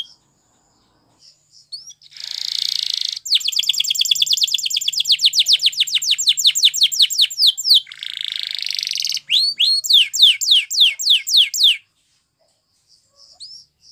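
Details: Canary singing as training song: a buzzy rolled trill, then a long, even series of rapid, high, downward-sweeping whistled notes, another buzzy roll, and a final run of separate falling whistles.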